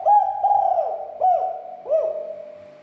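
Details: Spotted dove coo used to excite other doves into calling; four rounded, hooting notes, the second stretched, the last lower and fading slowly, with a faint hum behind.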